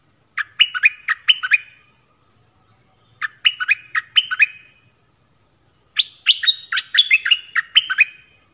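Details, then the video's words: Song of the nok dok taeng, played for young birds to learn and for luring wild birds: three phrases of quick, sliding whistled notes, the last longer and more varied, separated by short pauses. "เสียงนกดอกแตงEp.5 Birds sounds เพลงเบิ้ล เปิดให้ลูกนก-ลูกเสอร้องตาม ใช้ต่อนกป่า เปิดให้นกคึก"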